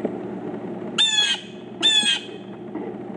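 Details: Pileated woodpeckers, four birds together, two harsh nasal call bursts about a second apart, each a quick run of stacked notes, over a low steady hum.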